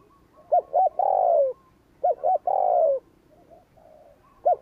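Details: Rapid 'gù kích' cooing by a spotted dove, meant to provoke wild doves: two full phrases about 1.3 seconds apart, each two short notes and a long falling coo, then faint coos and the start of another phrase.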